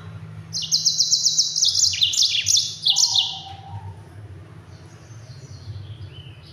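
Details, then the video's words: Yellow-fronted canary in a fast, dense 'ngerol' rolling song used to train other songbirds: rapid high buzzy trills and sliding notes for about three seconds, then faint distant chirps over a steady low hum. "Mozambik Gacor Speed Rapat NGEROL PEDAS untuk masteran!"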